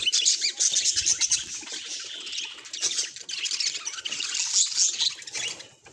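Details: Happy budgerigar chattering through a day in its life; dense, scratchy high warbling and squawky chirps run almost without pause, rising and falling in loudness over six seconds.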